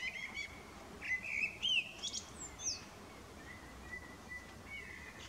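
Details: Evening song of a male common blackbird: mellow fluted whistles and slurred notes, a burst of high twittering in the middle, then long even whistled tones trailing off, with soft ambient noise.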